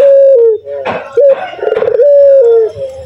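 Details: Local male spotted dove cooing vigorously: a steady low hooting note that dips at the end, broken by rougher throaty bursts, then another long even coo.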